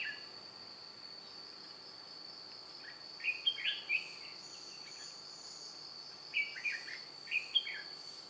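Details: Red-whiskered bulbul decoy for trapping wild bulbuls, 2 July 2018: after a quiet spell, two clusters of quick, sweet, slurred chirps ring out against a constant high insect buzz.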